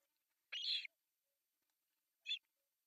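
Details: One drawn-out, raspy squeal followed by a short high chirp, given by begging osprey chicks at breakfast feeding on a nest-cam site in Pohjois Satakunta, Finland, July 1, 2024.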